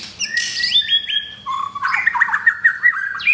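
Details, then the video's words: Captive F4 blorok white-rumped shama from Jakarta, rough-material song: a buzzy opening, then clear level whistles stepping down, followed by a fast run of bubbling, warbled notes and a final upward slur. "Murai Batu F4 Blorok Materi Kasar"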